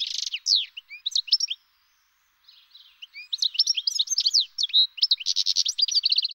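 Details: European goldfinch singing a rapid, tinkling jumble of twittering notes, buzzy trills and liquid chirps, high-pitched and fast, with a brief pause after the opening phrases before a dense burst of ringing, repeated notes; no other sounds.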